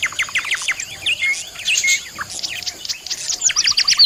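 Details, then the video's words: Several budgerigars calling together, possibly fighting, giving a jumble of sharp chirps and slurred warbles, ending in a run of quick repeated high notes. "what are budgies doing🤯is it fight"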